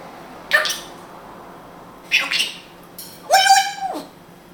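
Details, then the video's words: Israeli pet grey parrot talking in Hebrew indoors: two clipped, voice-like words, then a longer nasal, drawn-out syllable that holds steady before dropping away. "Grey African Parrot speaking hebrew"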